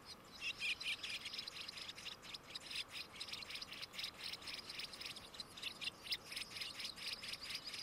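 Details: Bicknell's thrush nestlings at a monitored nest on Stratton Mountain, Vermont, give rapid, high, thin squeaky begging chirps in dense overlapping bursts as an adult feeds them; no other clear sounds.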